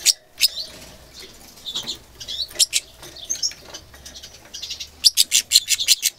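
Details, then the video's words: Goldfinch mule, described as angry: scattered high twittering chirps and soft warbles, ending in a fast run of sharp repeated notes, with faint low hum beneath. "Angry goldfinch mule"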